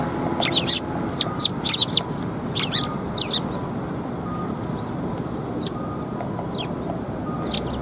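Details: Sparrows gathering for food at a Tenmangu shrine, 24 February 2021: a busy burst of sharp high chirps in the first two seconds, then scattered single chirps over a constant low hum.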